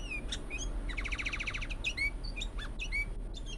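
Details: Sooty-headed bulbul giving a strange call: scattered short high chirps and slurred whistles, with a fast rattling trill of stacked notes in the middle, over a steady low hum.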